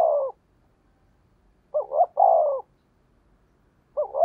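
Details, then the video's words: Spotted dove giving a fast thổ đồng decoy call: repeated phrases of two brief coos and a longer falling coo, separated by silence, one phrase cut off at each end. "tiếng cu gáy mồi chuẩn, cu gáy thúc gù giọng thổ tốc độ"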